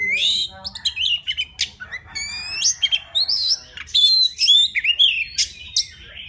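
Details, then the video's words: Forest Oriental magpie-robin in song to attract a female, pouring out rich whistles, rising and falling slurs and scratchy notes in quick succession, loud and continuous. "Tiếng choè than rừng hót gọi mái"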